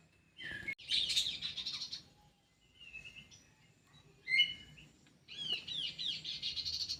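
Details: Captive kidangan kaso kaso bird in an aviary, with scattered high chirps and brief buzzy notes, ending in a sustained run of rapid looping whistles; faint background rustling.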